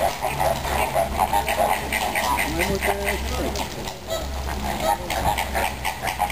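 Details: A flock of greater flamingos at Zoo Vienna on 6 October 2010 gives a dense chorus of overlapping nasal, goose-like honks, several each second, over a steady low mechanical hum with faint voices.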